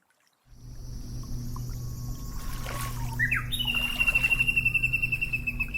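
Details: White-backed woodpecker in Hokkaido, Japan (subspecies there), giving calls: a thin high call jumping up into a sharp note, then a rapid pulsing series of about four beats a second; steady low rush like running water underneath.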